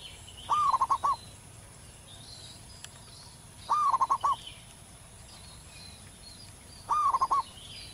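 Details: A zebra dove in the wild sings steadily, giving three loud phrases about three seconds apart, each a rising note then a rapid stutter of four or five coos, over faint distant chirping.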